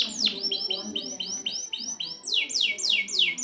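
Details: Canary tutor recording for a bird that has stopped singing: one quick downward note, then a steady roll of arched whistles about six per second, switching to a series of sharp descending slurs.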